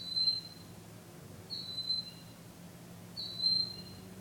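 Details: A bird calling at night, giving thin, high whistled notes that slide slightly downward. Three notes come about every one and a half seconds over a low steady hum.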